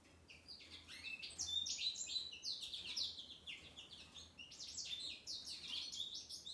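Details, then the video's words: Joyful song of a male American goldfinch freed after three weeks of treatment for Mycoplasma infection, a long run of bright, high twitters and slurred notes in two bursts over a steady low hum. "Wild Canary sings!"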